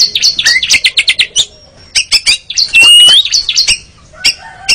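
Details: Training recording of an Oriental magpie-robin (kacer) for caged birds, in the ngeriwik style: fast series of sharp clipped notes, a pause, then mixed whistles with a long sweeping whistle and scattered chips.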